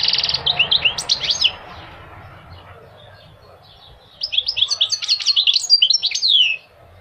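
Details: Goldfinch singing in two bursts of quick, twittering high notes, liquid chirps and slurred tweets run together, separated by about three seconds of quiet with a faint low hum underneath.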